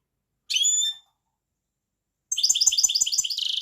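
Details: European goldfinch giving one ringing whistled note, then after a pause a fast tinkling twitter of rapidly repeated chirps.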